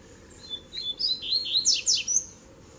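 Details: Double-collared seedeater, Tui Tui, Zel Zel and Mateiro song mix played to fire up other birds: rising series of pure whistled notes building into harsh rapid sweeps, under two seconds long.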